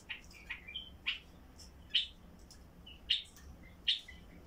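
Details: Basra bulbul with a heavy throat, singing so silent bulbuls will start: a series of short, sharp whistled notes about one per second, some followed by lower trailing tones.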